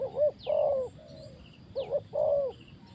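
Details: A spotted dove, kept for trapping wild doves, cooing twice: a short note then a long steady low hoot, with a soft hissing background and occasional thin chirps from other birds.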